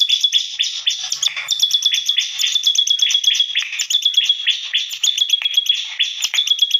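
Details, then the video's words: Lively, unusual song from a bar-winged prinia: an unbroken stream of fast, thin, high-pitched chirps and sharp ticks, bright and insistent throughout. "BURUNG CIBLEK GACOR SUARA ANEH"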